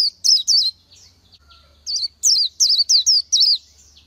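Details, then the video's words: Wild Oriental white-eye giving high, sweet twisting whistles: three opening notes, a pause with faint soft notes, then a second run of six. "Chim hót hay Vành Khuyên họng vàng đông dương | นกแว่นตาขาวสีทอง| Oriental White-eye"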